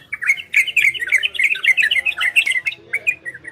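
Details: Orange-spotted bulbul, ropel and garudo song meant to bring listening birds into breeding condition: a rapid, continuous run of bubbly liquid notes that slows into separate phrases toward the end.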